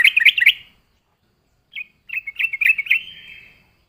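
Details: Lively yellow-vented bulbul singing, a recording used as a lure for catching birds: a short burst of bubbly chattering notes, a pause, then a longer run of quick warbled notes ending in a drawn-out trill.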